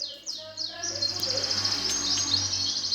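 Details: Greater green leafbird in 'gereja tarung' fighting song meant to provoke contest birds: three sweeping downslurred whistles, then a sustained buzzy high rattle over steady background hiss and low hum.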